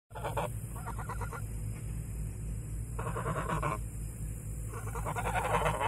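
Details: Domestic geese out on a meadow giving short nasal honks in separate bursts, about four groups spread over several seconds, over a constant low rumble and steady background hiss.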